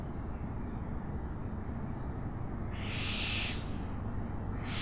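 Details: Owl call: one rasping, breathy screech lasting under a second after a quiet stretch, then a second screech starting as the recording ends, with low steady rumble behind.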